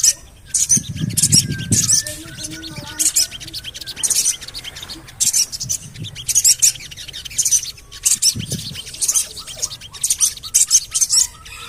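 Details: Javan cochoa lure call for getting birds to sing: repeated bursts of high, sharp cuit-cuit chirps, with soft twitters in the gaps and occasional low thumps.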